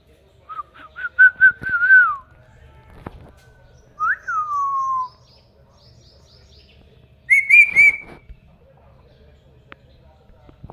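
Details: Talking ringneck parakeet kept as a pet: a series of short rising whistled notes, then a longer falling whistle, and later a harsher, strained two-part call, separated by quiet gaps with faint clicks.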